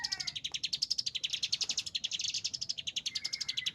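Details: Chinese hwamei singing agitatedly, a dense string of sharp, high repeated notes, regular and insistent, with a thin whistle appearing at the start and end.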